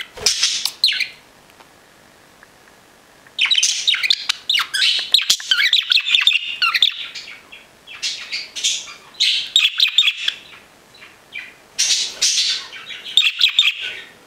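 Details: Pet budgerigars, mostly five years old and one nearly ten, chatter in bursts of high, scratchy chirps and warbles.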